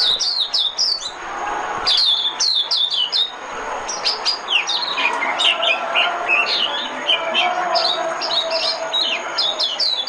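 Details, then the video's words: White-eye decoy song: quick clusters of high, thin, downslurred chirps, often doubled, run together in a busy twittering stream over a steady background hiss and a faint constant high tone. "Tiếng chim mồi - Tiếng chim khuyên mồi hay nhất 2017"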